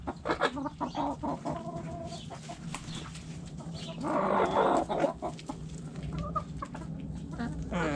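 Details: Hens clucking in a backyard chicken coop, many short harmonic notes from several birds at an irregular, quick pace, with a louder drawn-out squawk in the middle.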